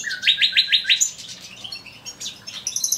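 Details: A male common nightingale singing in an aviary gives a quick run of five rising, rattling notes, then a jumble of varied phrases ending in high, thin, bright notes.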